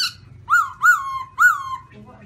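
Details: White-cheeked black-throated laughingthrush uttering three loud, full notes that rise sharply and then slide down, each drawn out, spaced about half a second apart.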